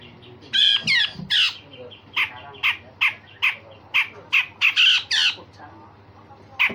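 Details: Grey-cheeked bulbul in full song, used to train other songbirds, with rough rasping phrases and sharp shots: loud, harsh, buzzy notes delivered in a quick irregular series of about a dozen bursts.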